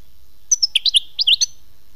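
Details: European goldfinch, khmis melyana, giving a brief string of about eight sharp, tinkling chirps in two quick groups.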